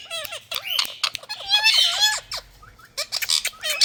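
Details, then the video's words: Indian ringneck parakeets from India give rapid harsh squawks and short bent whistles, a loud buzzy burst in the middle, then a few sparse rising notes. "Parrots Beauty🎊Talking Fun🎀"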